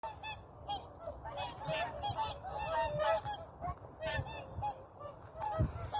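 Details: Whooper swans on Vandjala lake, Maardu, Estonia, at 7.45 on a November morning before ice, snow and cold weather; a flock gives overlapping bugling, honking calls, some clear and nasal, others distant, with low wind rumble beneath.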